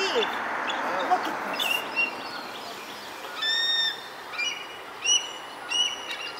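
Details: Bald eagle mother at Centerport, 6 May 2019, protecting her nestlings from a juvenile eagle; after a few seconds of rustling, scattered short, high whistled pips come in small clusters.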